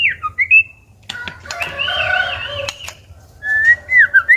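White-rumped shama singing rich, fluty whistled phrases that rise and fall, broken by a run of sharp, dry tack-like clicks in the middle.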